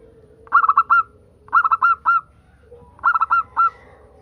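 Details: Local zebra dove singing as a prompt to make other doves call: three quick phrases, each of three or four short staccato coos ending in a slightly longer held note, about one second apart.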